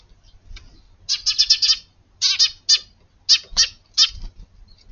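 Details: Garden sparrows, the family that arrives first thing in the morning on 24 February, giving varied calls: a rapid burst of five harsh chirps, then several separate sharp chirps in irregular spacing.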